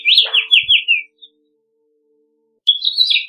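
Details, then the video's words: House finch song: a burst of down-slurred notes repeated in quick succession, silence, then another high warbled phrase begins. "Pinzón Mexicano / Carpodaco Canto! Llamado! Cantando! - House Finch Song - Haemorhous Mexicanus"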